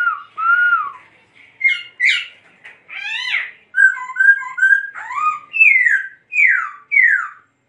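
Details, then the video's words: Varied laughingthrush song: rich whistles, a few harsh squawky notes, then a string of short repeated whistles and three loud downslurred calls near the end. "Khướu Muá Hót Như Thế Này Đạt Chưa Anh Em"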